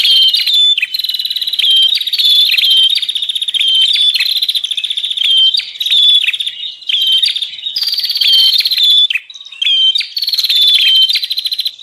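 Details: Bar-winged prinia calling as a lure for wild birds, a continuous stream of harsh, rattling high trills and short whistles, near-unbroken over many seconds with only brief breaks.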